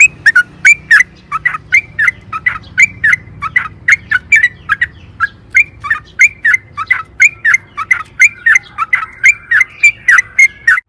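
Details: Sooty-headed bulbul in long, lively song used to make caged birds sing: an unbroken chain of quick, liquid, warbled notes, about three a second, for the whole stretch.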